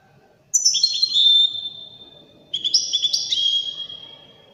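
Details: European goldfinch, described as Widani, giving two separate phrases of high whistled notes. Each phrase opens high and glides down into a steady held tone, with a quiet gap between them.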